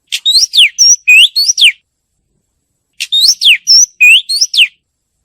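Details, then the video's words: Oriental magpie-robin singing: a loud phrase of about seven clear whistled notes, some slurred upward and some sweeping down, lasting about a second and a half, then silence, then the same phrase repeated. "เสียงนกกางเขน นกกางเขนร้อง"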